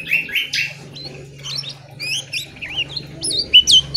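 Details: Lemon-bellied white-eye, a dense, short-phrased, loud and stable training song. High chirps, then wavy whistled slurs and zigzag notes in quick succession, with a steady low hum underneath throughout.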